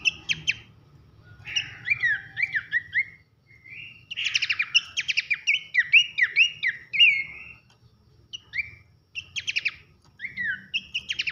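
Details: Loud whistled 'nembak nyiul' song of a Horsfield's babbler, pelanduk semak, from a masteran training recording: strings of sharp descending whistles alternating with rapid rattling bursts, several short gaps between phrases.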